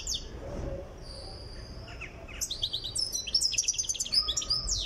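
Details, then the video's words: Tiaret goldfinch in song training, nearing readiness: a quiet start with a few scattered high chirps, then from midway a fast, bright twitter of metallic notes and short trills, with faint background hum. "تغريد مقنين تيارت (في طريقه إلى الجهوزية)"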